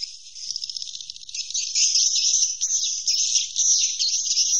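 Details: Roosting calls of swiftlets form a dense, high-pitched trilling buzz, which flutters quickly at first and then merges into an unbroken twittering stream.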